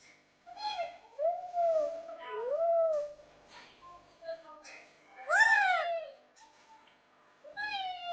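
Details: Young, healthy Indian ringneck parrot, bought at ten days old in Raja Bazaar, Rawalpindi, talking in Urdu/Hindi indoors: high, nasal speech-like phrases with sliding, swooping tones, in about five short bursts separated by brief pauses.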